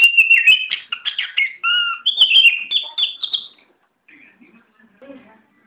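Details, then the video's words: Tame oriental magpie-robin singing a rapid, varied phrase of clear whistles and sharp chirps with frequent pitch jumps, ending after about three and a half seconds in quiet with faint soft notes. "Video Burung Kacer Jinak"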